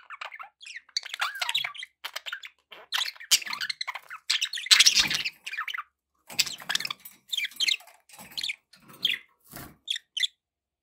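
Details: Several pet budgerigars chattering constantly. High scratchy warbles, squeaks and chirps tumble together, with one louder harsh burst in the middle and brief pauses later on.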